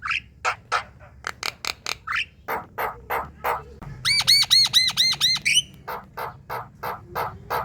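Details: Javan myna in full song, used to prompt other mynas to sing: a rapid series of harsh, noisy chattering bursts about twice per second, broken by a run of clear, repeated whistled notes midway.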